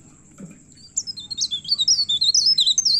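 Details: Myna in agitated, intense song while seeking a rival: after a soft low sound, a string of sharp, high, zigzagging whistles begins and speeds into a steady run of looped notes.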